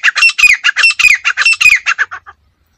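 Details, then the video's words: A female grey francolin gives a fast run of about a dozen harsh, squawking notes over two seconds, the notes fading and thinning out toward the end. "teetar awaz teetar voice gray francolin teetar sound female teetar awaz madi tetar awaz"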